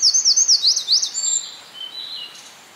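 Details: Field recording of a winter wren from 5 June 2011 in Hinohara Village, Tokyo, Japan, in the citizens' forest. Loud, fast, very high piping notes repeat for over a second, then trail off into quieter high twitters.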